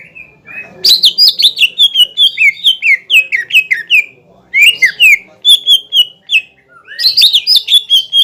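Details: Greater green leafbird singing a 'pancingan' lure song used to provoke a rival bird into a hyper, heated response: a loud, rapid run of varied whistled and chirping notes in bursts, with short pauses between phrases.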